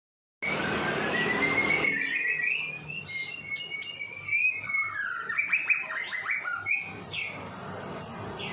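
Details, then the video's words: White-rumped shama song used as a training tutor for cage birds; a noisy burst opens, then long clear whistles rising and sliding, followed by rapid varied chattering phrases and downward-sweeping notes. "murai batu epek sauna kering +kering"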